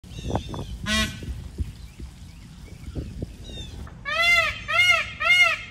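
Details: Peacock calling: after scattered rustling and a brief loud harmonic cry near one second, three loud nasal, wailing calls follow in close succession over the last two seconds, each rich in stacked harmonics.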